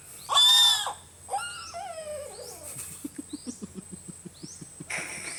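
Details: Bird at the Philippine Eagle Center in Davao City: a loud harsh call opens, then a rapid run of short pulsed notes rises and falls like laughter, with a few thin high whistles alongside.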